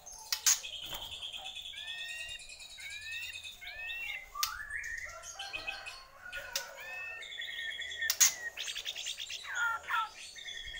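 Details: Bornean white-rumped shama in loud, rich song: a rapid flow of varied whistles, trills and slurred notes broken by sharp clicking snaps, nearly continuous throughout.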